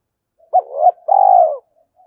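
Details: Caged spotted dove used as a decoy, calling to provoke wild birds: a brief hoarse first coo, then a sustained, even, slightly throbbing second note that tails off. Faint soft notes before and after, otherwise quiet.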